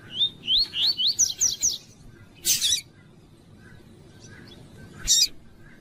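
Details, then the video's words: 'Tuí tuí' style song of a double-collared seedeater, used by breeders to warm up and train males: seven clear upslurred whistles in quick succession, then a buzzy rasping burst, a short pause, and one more harsh buzz. "ESQUENTAR CANTO DO COLEIRO TUÍ TUÍ PARA ENCARTE TUÍ TUÍ PERFEITO PARA ENSINAR PAPA CAPIM E COLEIRO"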